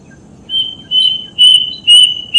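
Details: Four drawn-out, even-pitched whistles from a plaintive cuckoo, each a little louder than the last, spaced about half a second apart, from a recording meant to spur caged birds to sing.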